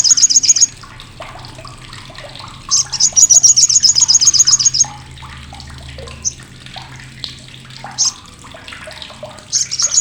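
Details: Olive-backed sunbird crecetan, a loud, harsh, piercing chatter used to train competition birds: brief high rattles open and close the recording, with a longer fast buzzy run near the middle and soft chirps between.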